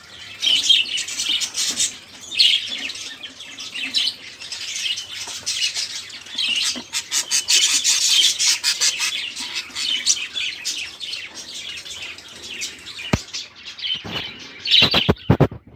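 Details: Budgerigars chattering noisily, a prompt for quiet caged songbirds; long stretch of raspy warbling and squawks, with a few sharp knocks near the end.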